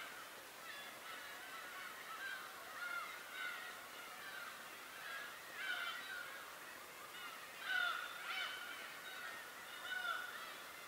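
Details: Many birds calling together at Tobishima. Overlapping harmonic calls include sliding notes, and louder bursts stand out roughly every two seconds, the strongest near the middle of the recording.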